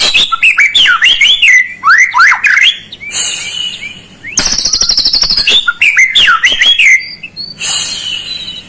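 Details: White-rumped shama song used as a lure to provoke a lazy bird into singing: rich, varied whistled phrases sweeping up and down, broken by bursts of buzzy, high-pitched rattling notes and quick chirps.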